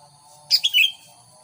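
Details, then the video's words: Single brisk phrase of a sooty-headed bulbul used as a lure for wild birds: three quick bright notes dropping in pitch over a steady high background tone. "Burung kutilang pikat gacor..!!! Auto - kutilang liar penasaran"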